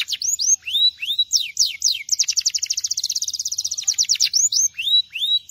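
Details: Belgian canary singing: quick downslurred whistled notes, then a fast buzzy trill of rapid repeated notes, ending in rising upturned whistles, all high-pitched and clear.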